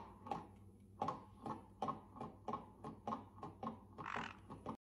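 A caique gives a rapid run of harsh, raspy squawks, roughly two to three a second, ending in a louder screech, over a low indoor hum.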